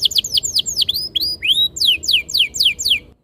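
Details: Canary lure song (masteran) for encouraging canaries to sing: a rapid series of high whistled notes, each sweeping downward, about four per second, ending abruptly.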